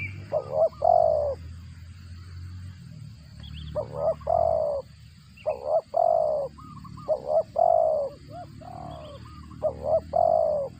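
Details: Cooing spotted dove while feeding chicks, described as cricket-like in voice; repeated hoarse, mellow phrases, each a quick double note then a longer drawn coo, returning every second or so against low background hum.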